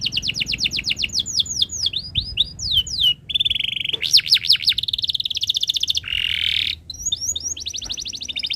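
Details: Canary song used to tutor young birds, fast sequences of swept whistled notes, rattling trills, wavering loops and a harsh buzzy stretch, changing phrase every second or two.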